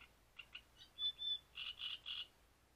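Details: Great reed warbler at Grachevka during breeding season, singing two short harsh notes, a drawn-out squeaky whistle, then three loud, grating, croaking syllables in steady rhythm; background quiet.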